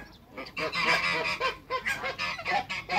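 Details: In a backyard with other waterbirds, African geese, two males and one female, give a fast string of clipped, nasal honks, about eight notes in three seconds, brassy and rasping.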